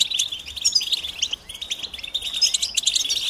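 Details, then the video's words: A flock of European goldfinches giving mating calls to stir males to sing: busy, overlapping high twitters and short tinkling notes, with a few thin rising whistles woven through. "بتبتة جماعية رهيبة لتحفيز الحسون على التغريد والهيجان"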